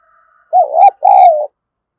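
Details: Spotted dove used to stimulate others, giving one phrase: a short, mellow, wavering coo, then a longer, smooth, slightly falling coo, clear and close.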